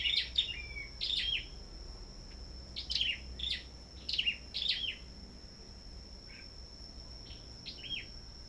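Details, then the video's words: Caged sâu đầu đỏ songbirds competing in song at a bird farm. About eight separate high chirp bursts are spaced about a second apart, then fainter notes follow. A steady high electronic tone continues throughout. "Sâu Đầu Đỏ Hót Đấu Đủ Loại"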